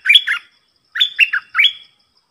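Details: Red-whiskered bulbul acting as a lure for a wild territorial bird, giving three short bubbly phrases of warbled, up-and-down chirps separated by brief pauses.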